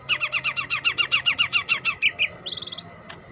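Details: Yellow-headed green leafbird in song, pouring out a fast, even series of about fourteen chirping, slightly descending notes, then two louder chips and a short burst of very high, thin, buzzy notes.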